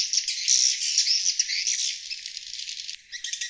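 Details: Swiftlets calling to draw in wild birds: a loud burst of high, buzzy chattering that slowly fades, briefly drops out, then returns.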